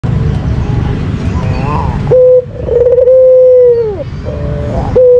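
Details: White Barbary dove, a cage bird kept in Indonesia and entered in contests, giving its lure call: after a short steady note, a long, level, purring coo slides down at the end, over low rumbling background noise.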